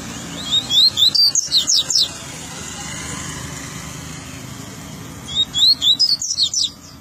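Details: Double-collared seedeater, recorded in RJ, giving two short phrases of rapid, high, twittering slurred notes several seconds apart against constant low traffic rumble.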